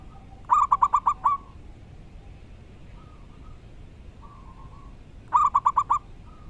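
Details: Local wild zebra dove with a loud, clear song: two quick bursts of about five tight, ringing cooing notes some four seconds apart, over a steady hiss with faint softer coos in between.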